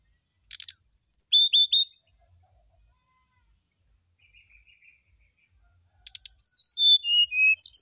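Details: Brown-chested jungle flycatcher morning song used as a lure for a reply: rattling clicks, then repeated sharp whistles. Soft faint chirps fill a quiet gap before a descending string of whistled notes.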